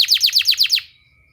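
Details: Canary therapy song: six loud, evenly spaced down-slurred whistled notes in under a second, then silence apart from a faint thin tone.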